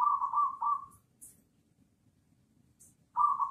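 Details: Local zebra dove with a strong voice, singing as a lure to provoke other doves; a rolling, trilled coo phrase, then silence, then the phrase begins again.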